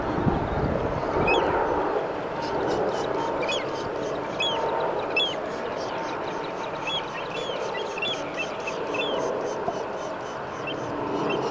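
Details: Forster's terns at a nesting site with chicks at Redwood Shores give short, high, upslurred chirps, several each second and overlapping, over a steady low rumble of wind or distant traffic.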